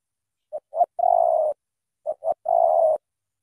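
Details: Two phrases from a spotted dove of Cà Mau, Vietnam, known for its loud voice: short clipped note, a sharper second note, then a long mellow sustained coo, the pattern repeating about every one and a half seconds.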